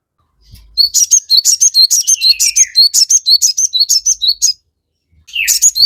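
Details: Crested jay singing to provoke other birds: a rapid string of high, clipped double notes with a long falling whistle partway through, then a fresh burst after a pause.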